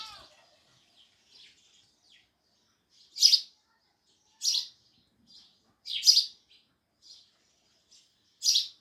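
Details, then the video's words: Sparrows chirping loudly, strong harsh chirps every second or two over quieter scattered chirps. "Sparrows Loud Chirping Sounds"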